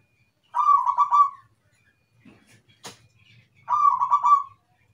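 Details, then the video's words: Zebra dove (perkutut) cooing: two matching phrases about three seconds apart, each a rapid rolling stutter of mellow notes that trails into a sustained note, with a single sharp click between them. "PERKUTUT IRAMA - GACOR"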